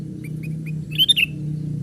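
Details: A young sooty-headed bulbul used as a lure for wild birds: a few soft, short chirps followed by a louder three-part slurred whistled call, with a steady low hum throughout.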